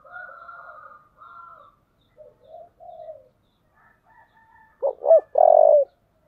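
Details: Spotted dove fighting call in the 'giọng thổ' style: hoarse, crow-like phrases from another fowl open the clip, then soft coos build to two quick looping notes and a long, loud final coo.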